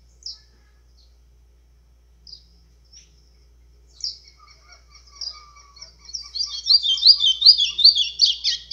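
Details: White-throated seedeater singing in azulão style, used to excite other birds; a few scattered high chips, then from midway a buzzy, rapid warbled phrase of repeated descending notes that swells louder toward the end.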